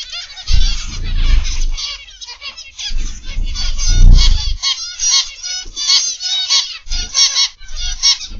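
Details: Morning live stream from a zebra finch aviary: a flock of zebra finches keeps up a busy chorus of short, nasal, toy-trumpet beeps and chatter, with intermittent low thumping rumbles underneath.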